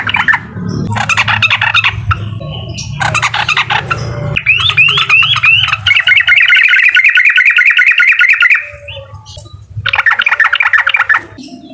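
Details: Uklik song of a sooty-headed bulbul, meant to anger a rival: bursts of quick chatter, three rising swept whistles, then a long, fast, even trill before more chattering.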